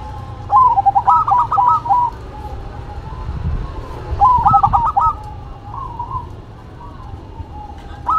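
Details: Zebra dove duet, local bird versus cemani: two long phrases of fast, knocking coos, each about one and a half seconds, separated by softer drawn-out tones and low background rumble.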